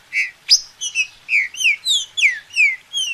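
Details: Green-winged saltator singing, a recording meant to stir another bird into song: quick series of bright whistled notes, mostly downslurred, about three per second, clean with no other sounds.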